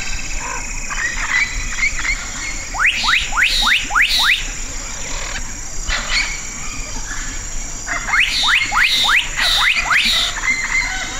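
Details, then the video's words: A Black-capped Donacobius gives loud, rising whistled notes in quick bursts of about six, twice, over a steady high insect hum. "Canto do pássaro Japacanim"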